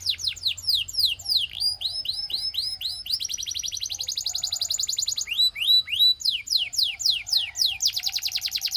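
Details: Canary, described as a Russian singing canary, in varied song: descending whistled sweeps, clipped repeated notes, a fast rolling trill, then more slurred falling notes and a buzzy rattle.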